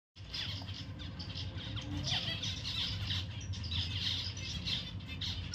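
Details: Pet zebra finch calling in quick, uneven bursts of short nasal chirps and downward-sliding notes, several overlapping, over a steady low rumbling hum.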